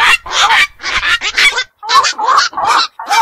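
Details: Black-crowned night heron, a night-active bird of fish ponds and wetlands, calling at night: harsh, buzzy squawks in quick bursts, some with short rising-falling tonal notes, about two per second with brief gaps.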